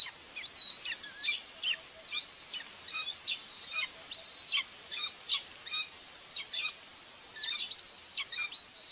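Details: At a nest in Tiszalök, Hungary, on June 2, 2024, a common buzzard mother feeds two chicks. A continuous, somewhat overlapping run of shrill whistled notes holds high, then curves down. The notes vary in length over nine seconds.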